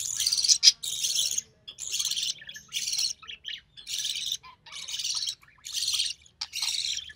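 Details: Recessive pied budgie chick, only survivor of three hatched early June 2020, while its albino red-eye mother feeds it; eight or so separate harsh, raspy squawking bursts, each about half a second long, spaced by short silences.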